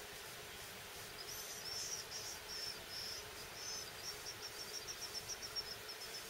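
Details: Crowded nest of five Phoebe nestlings on a porchlight, May 16, 2012: thin, very high chips and short squeaks, quickening to a rapid run near the end, over a steady soft hiss.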